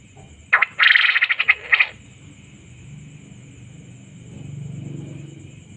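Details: Male quail giving a short buzzy, rapidly pulsed burst lasting about one and a half seconds, several harsh notes run together, followed by quiet with a steady electronic whine and low background rumble.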